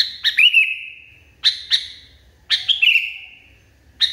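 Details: Sooty-headed bulbul in a highly agitated state: paired sharp chips lead into a drawn-out steady whistle, repeated three times, then a fresh chip at the end over faint low background hum.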